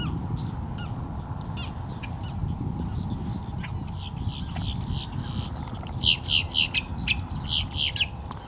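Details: Boat-tailed Grackle, as identified by a viewer, heard in the morning near a hunting female Belted Kingfisher, giving a rapid burst of harsh, clacking chatter, about four notes a second, over a steady low rumble and faint bird notes.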